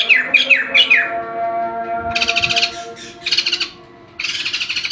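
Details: White-crested laughingthrush, a kept bird singing energetically: a quick series of descending whistled notes, then loud harsh, chattering bursts repeated in quick succession, over a steady tonal hum in the background.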